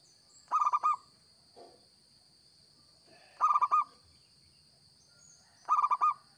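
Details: Local zebra dove in vigorous song, recording used as a lure: three compact phrases of rapid, rolling coos about two and a half seconds apart, a soft low note between, and a faint constant high whine.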